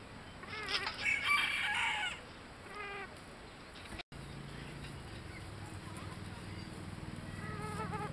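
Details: Red-saddled Modern Game bantam rooster at a young-animal poultry show in Dietikon, Switzerland, 28 May 2011, giving a loud harmonic crow lasting about a second, followed by softer clucking notes amid hall background noise.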